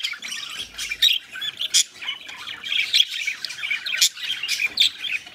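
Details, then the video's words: Mating pet budgerigars chattering nonstop in high scratchy chirps and squawks, several louder bursts rising above the warble. "MIS PERIQUITOS COPULANDO"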